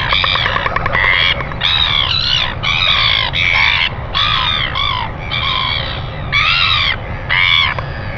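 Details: Northern royal albatross filmed by nest camera at 5:57 a.m. on 25 December 2019, greeting: a loud run of braying, harmonic calls, roughly one to two per second, each nasal and slightly wavering, with low wind noise underneath.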